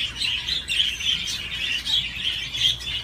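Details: While playing on a swing, a budgie keeps up rapid, even chattering, a run of high chirruping notes that rises and falls in loudness.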